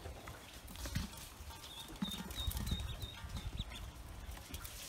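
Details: Freshly hatched Pekin ducklings on a farm peep repeatedly in the middle seconds, high and evenly spaced, while low thumps and handling rustle fill the background.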